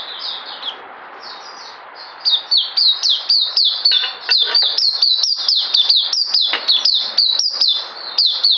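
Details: Puteh, the oriental white-eye, in mousey-style song dated 9 June 2019. Softer high slurs at first, then a rapid, steady stream of sharp descending notes, about four each second.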